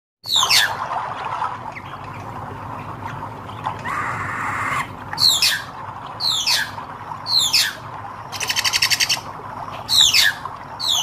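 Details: Hair-crested drongo with red eyes, singing vigorously: harsh, steeply falling sweeping notes in scattered bursts, a buzzy rapid rattle, and a broad hissing noise in between, over a steady low background hum.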